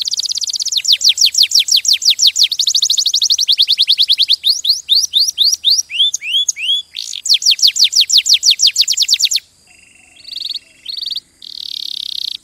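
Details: Canary song of long fast trills and repeated downslurred whistles with a run of curved rising notes, then buzzy flat trills after a short break.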